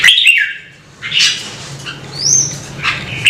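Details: Red-whiskered bulbul giving a short, rich, slurred phrase, then a long pause, one brief rising high whistle and a final short note. Sharp clicks are heard throughout.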